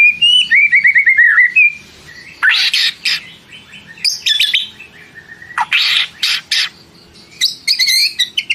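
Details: White-rumped shama singing: a quick descending series of whistled notes, then loud harsh buzzy bursts mixed with sharp high chips and short rapid trills, with a low background rumble.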